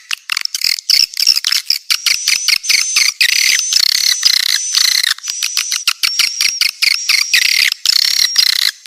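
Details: Swiftlet lure call recorded cleanly for attracting the birds: unbroken flurries of high, chattering chirps layered over a thin, steady whistled tone, interrupted by brief silent breaks, free of other sounds.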